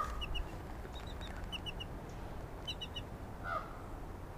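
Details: Two captive Mississippi kites at a raptor center give soft, thin, high chirps in quick bursts of two or three as their water is changed, over a low rumble, with a lower slurred note near the end.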